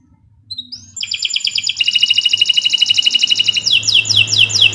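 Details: Canary in long, vigorous 'gacor' song used as a master for training other birds: a soft rising whistle, then a fast buzzy high trill, ending in repeated downslurred sweeping notes, with a low hum underneath.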